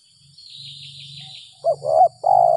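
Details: Spotted dove lured after rain in early April, its 'gagap 6 mata' call style: a brief phrase near the end of two quick stuttered notes, then a longer low steady coo, with a faint low hum and a high steady insect-like tone throughout.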